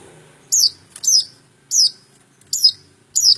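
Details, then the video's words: Long-tailed shrike giving sharp, high, downslurred notes in a series of five, spaced roughly every half to two-thirds of a second, with quiet gaps between and faint low background hum. "Suara burung cendet"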